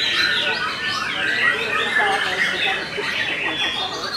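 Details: White-rumped shama, Belanda type, holding a stable stream of mid-to-high whistled phrases and slurred notes, smooth and continuous with a few sharper chirps.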